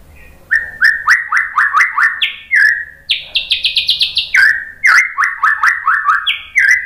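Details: White-rumped shama singing as a training lure: quick series of clipped whistled notes repeated in steady bursts, jumping briefly to a higher run before returning lower.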